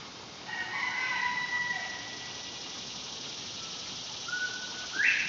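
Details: Penned male Northern bobwhite on a countryside morning after rain. A rooster crows first, then the quail gives a level whistle and a quick upward-slurred note near the end, over constant insect hiss.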